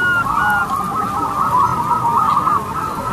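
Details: Crossbred zebra dove, kept for use as a lure bird, singing loudly: a dense, continuous run of overlapping low cooing notes that waver steadily around the same pitch for three seconds, with faint higher tones early on.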